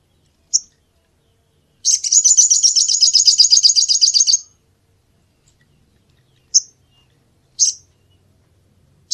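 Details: Call of a sunbird, played to lure birds: one high chirp, then a long rapid trill of sharp high notes for about two and a half seconds, then scattered single chirps; clean, quiet background.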